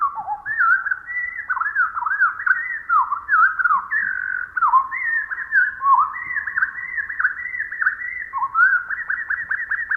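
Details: Pacific wren (Troglodytes pacificus) song slowed to quarter speed: an unbroken run of mellow, whistled slurs, many swooping down then up, with faint background hiss.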